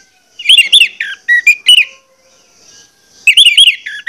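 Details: Orange-headed thrush singing as a lure to rouse others to sing: short phrases of bright warbled whistles and chirps, a quiet gap, then another warbled phrase.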